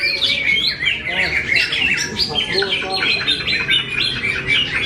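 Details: Greater green leafbird, a kept bird from Kediri, singing a dense, continuous run of varied chirps, whistles and chattering phrases. Mostly high-pitched, with some quieter lower notes underneath and no pauses.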